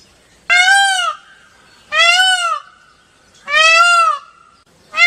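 Indian peafowl giving loud, nasal, wailing calls, each about half a second long, repeated roughly every one and a half seconds.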